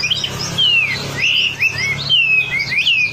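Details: Wambi song used as a lure recording: loud, clear whistled phrases that slide down and swoop back up, separated by short pauses, over a steady low hum.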